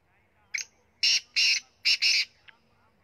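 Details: Punjab kala teetar (black francolin) giving a loud, coarse, rhythmic phrase: a thin lead note, then four strident buzzy notes, the last two fused, and a faint click at the end.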